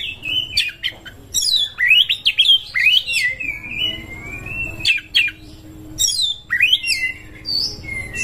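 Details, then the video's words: Oriental magpie-robin in breeding condition singing to lure other birds: rising, swooping whistles and long drawn-out sliding tones, with occasional sharp high chips and a faint background hum. "JEBOL BIRAHI ⚪ RAMUAN KACER PALING AMPUH UNTUK PANCINGAN BURUNG ANDA"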